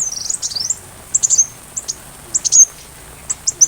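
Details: Sunbird singing for a white-rumped shama tutoring recording: a short high twittering run, then scattered sharp, piercing chips and squeaks separated by brief silences.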